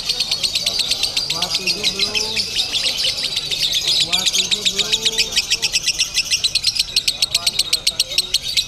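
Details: Contest lovebird in Bandung pours out an unbroken stream of high, piercing chirps pulsing several times a second, growing more clipped toward the end; lower sliding whistles from other birds and crowd voices underneath.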